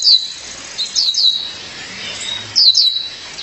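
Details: Female violaceous euphonia calling her mate: high, thin descending notes in two bursts, three short slurred whistles each around 0.1 and 2.6 seconds, with fainter notes between.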